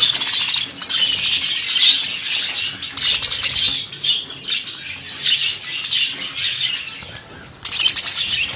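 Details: Budgerigars, a large group kept for sale, chattering continuously in dense, high-pitched warbling and squawking bursts that rise and pause every few seconds, with no other clear sounds.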